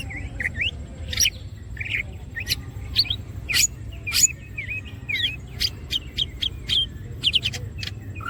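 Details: Greater green leafbird (green cucak) singing gacor with open wings: rapid varied phrases of curling whistles, upswept slurs and sharp, very high clicks and chips scattered across the song, above a low background rumble.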